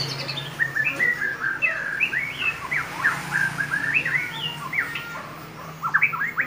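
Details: White-rumped shama song made of varied, clear whistled phrases, some rising, some falling, with quick slurred notes and sharp upward flicks near the end; a low hum runs underneath.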